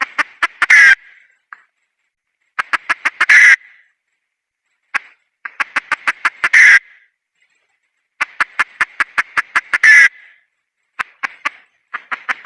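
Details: Female red junglefowl calling in the wild: bouts of rapid clucks accelerate into a loud raucous cackle. Five such bouts come roughly every two to three seconds, with quiet gaps between and no other clear sounds.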